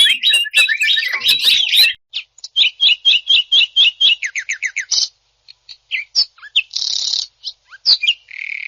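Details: Greater green leafbird, champion at 2021 national contests, singing rough 'tembakan' bursts: a harsh opening flurry, then a series of about a dozen quick, evenly spaced high chips, followed by short buzzy notes and whistles.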